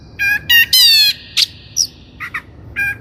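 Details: Lure song of a Long-tailed Shrike, known locally as cendet, used to train birds: loud nasal, rasping notes with strong overtones, a drawn-out grating phrase, then a brief upslurred whistle and a few clipped chips.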